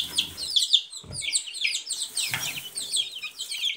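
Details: Several Silkie chicks give quick, high-pitched cheeps that slide downward, calling almost continuously over faint low rustles.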